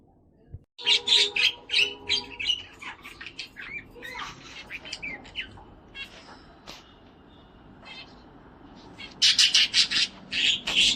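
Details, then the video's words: Singing, dancing pet cockatiel chatters in fast runs of raspy, squeaky notes, several per second, pausing briefly midway before a final burst of loud scratchy chirps. "A cockatiel bird sings, dances and plays"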